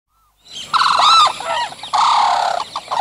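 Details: Sarus cranes (Grus antigone), recorded close up, give loud, brassy trumpeting courtship display calls in two long bursts with short wavering notes between; other birds call distantly.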